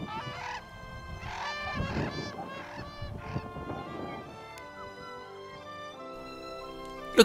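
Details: Brolgas in Australia give three bursts of loud, harsh trumpeting, calls typically made at take-off, landing, in flight or to mark territory, then fall quiet under soft background music.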